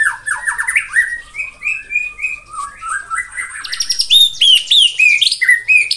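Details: White-rumped shama singing in the morning to provoke rivals: a rapid series of clear whistled notes stepping up and down, followed by high, sharp, repeated chirps, around three notes per second.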